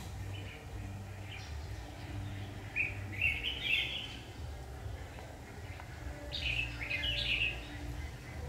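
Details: Red-whiskered bulbul during trapping, giving two bursts of quick, slurred warbling whistles several seconds apart, separated by quieter stretches with steady low rumble and faint distant chirps.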